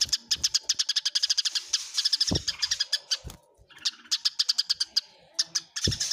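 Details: Eurasian tree sparrows in a fight chatter in rapid series of sharp, high chirps, then ease off briefly around the fourth second before another quick volley.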